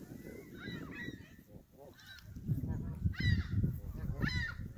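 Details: Canada geese at Hawreluk Park Lake honking, strong rising-falling nasal calls growing louder toward the end, layered over deep rumbling background noise.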